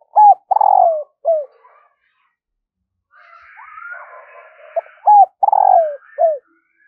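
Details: Spotted dove used as a decoy, cooing in the morning to call in wild birds. Two full phrases of short notes, a long descending coo and a final coo, with a fainter, higher, rough call from another bird between them.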